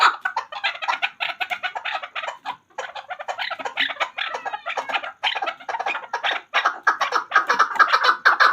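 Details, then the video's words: Hunter chakor, the chukar partridge, giving dense, raspy chuckling notes in rapid irregular bursts with a brief pause midway, then a fuller rolling call run at the end. "Chakor Ki Awaz. Hunter Chakor sound."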